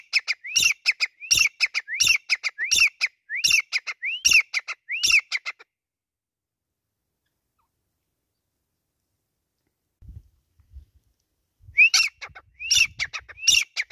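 A grey francolin gives loud, shrill, rising whistled notes in a rapid repeated series.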